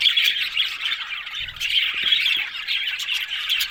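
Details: Busy budgerigar chatter: high scratchy squawks and chirps tumble over one another in a continuous, rapid warble, with a few faint low knocks in the background.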